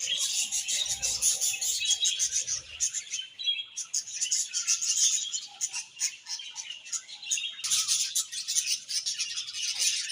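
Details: Continuous high chatter from a group of budgies, rapid overlapping chirps and warbles with short dips in loudness, then bursts of busy twittering again.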